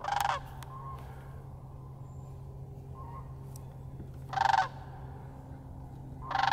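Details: Sandhill cranes fly overhead in winter above a frozen marsh. Three loud, rolling, rattled bugling calls come at the start, middle and end, each under half a second, over a steady low hum.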